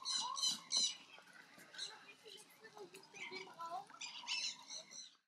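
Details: Crimson-bellied Parakeets during feather care give harsh, scratchy chatter and squawks in quick irregular bursts, with brief softer notes between, in a small indoor room.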